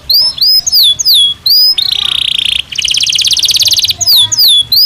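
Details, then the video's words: Song of a Belgian canary singing naturally, mixing looping whistled phrases with a harsh buzzy roll and a rapid rattling trill, then more curling whistles; loud and close. "Som de 1 Hora com Canario Belga Cantando Naturalmente"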